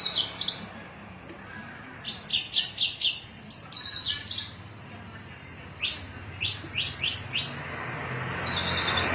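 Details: Cilacap Javan bush lark singing cing ciu: energetic series of loud high chips and slurred notes, several fast runs of four to five, separated by short pauses, with some hiss toward the end.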